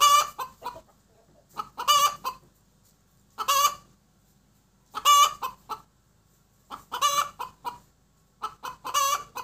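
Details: Hen cackling after laying an egg: loud, harsh, broken bursts of clucks, each burst a rapid cluster of rough notes repeated about every one and a half to two seconds, with quiet gaps between.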